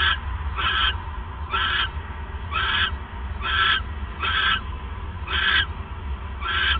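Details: ['Owl at night, 28 December 2014 at 9:42 PM, the male arriving with a third mouse; eight rough, hissing screeches in a near-steady run of about one per second, over a low rumbling background.']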